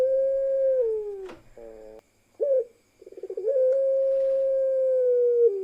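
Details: Pelung ringneck dove in a parade with one female among the birds: a sustained coo falls away, then short clipped notes and a rapid stutter build into another long, even, drawn-out coo.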